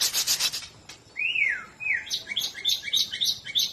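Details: White-rumped shama of the Medan type: a scratchy rapid burst, then two clear fluting whistled slurs rising and falling, followed by quick bright chattering chips.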